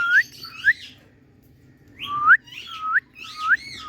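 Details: Pet Indian talking parrot in a happy mood giving short rising whistled slurs, two close together, a pause, then a run of three or four more upslurred whistles.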